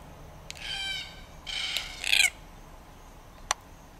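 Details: Red-tailed black cockatoo giving two harsh, grating calls rich in harmonics, the second breaking into a louder buzzy burst, followed by a sharp click after a pause; quiet background.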